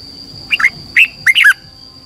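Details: Red-whiskered bulbul training song for caged birds: three short bursts of warbled, whistled notes, each dipping and rising, evenly spaced within two seconds.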